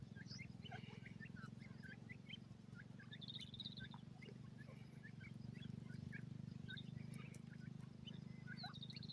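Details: Female grey francolin (white teetar) with her chicks playing in a forest in the early morning; many short, thin, high chirps and peeps scattered throughout, some in quick clusters, over a steady low droning hum.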